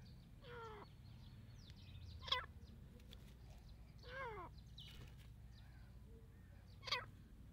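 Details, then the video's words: Fighting Dakni partridges give harsh, grating calls in separate bursts roughly every two seconds, some with falling, stacked tones and short sharp notes between them, against constant low background rumble. "دکنی تیترکی مست لڑاٸ"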